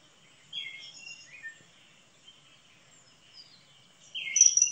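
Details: High, piercing whistles of a common kingfisher, scattered across a quiet background and ending in a louder, shrill burst of notes.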